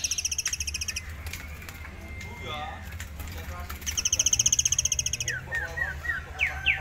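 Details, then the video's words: {'caption': 'Master-song recording of a tame forktail singing ngitir: high buzzy rattles pulsing rapidly, faint wavering notes between, then a series of quick downslurred whistles ending in sharp rising notes.'} "murai air jinak ngitir"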